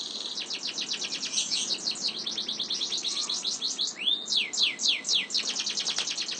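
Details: Canary singing a long roll: a continuous, fast series of high, evenly repeated notes running throughout, broken around the middle by a rising whistled slur before the rapid trill resumes; steady low background hiss.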